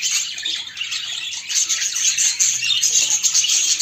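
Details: Courting budgerigars, a female and a male kept indoors: quick, tumbling chirps and buzzy chatter running on nonstop, growing slightly louder toward the end.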